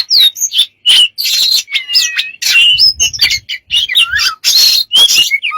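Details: A bird described as smart and full of strange sounds gives a rapid jumble of high whistles, chirps, buzzy squawks and sliding notes, with brief pauses between bursts and a few low thumps near the middle.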